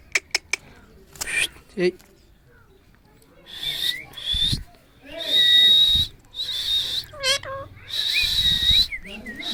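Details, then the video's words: Angry Alexandrine parakeet giving loud, harsh, grating screeches in long bursts, mixed with short whistled notes and brief rising and falling whistles; some rapid clicks at the start and low background music. "original voice 😜 angry 😡 parrot"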